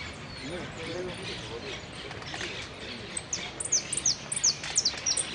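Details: Hooded siskin entered in a Quilmes singing contest on 2 December 2017, third place in the sin cierre category; after murmuring voices, a run of loud, very high descending whistled notes repeats rapidly, about three per second.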